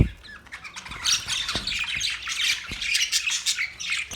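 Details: Budgerigars, Australian parrots, chirping: a dense, continuous chatter of overlapping squawky, warbling notes from several birds, with a few soft low thumps scattered through.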